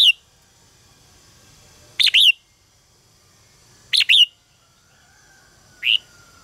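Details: Red-whiskered bulbul contest song used as lure sounds: short two-note whistled phrases repeated about every two seconds, each note sharp and downward-slurred, the last phrase a single note, over a very quiet background.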